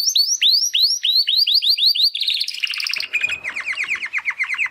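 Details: Young Timbrado canaries, brothers in their first song attempts after molting, deliver loud evenly repeated rising notes, then a quick rolling trill shifting lower into a descending series of repeated chirps.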